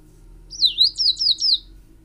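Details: Tricolored brushfinch (Atlapetes tricolor), a species of Ecuador and Peru, singing a high, clear phrase: one drawn-out descending whistle followed by three or four quick rising-falling slurred notes, over a quiet low hum.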